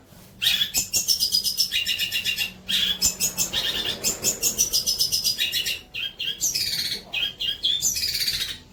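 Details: Long-tailed shrike song used for training other birds: dense, loud bursts of harsh chattering and whistled notes, with sweeping slurred whistles and rapid repeated trills, pausing briefly around three seconds and six seconds.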